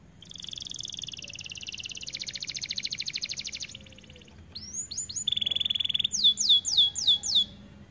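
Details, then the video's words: Extended song of a white AF canary: a long buzzy rattling trill, then quick rising slurs, a steady held whistle, and a few loud downward-sweeping notes. "Kenari AF warna putih GACORR DORR"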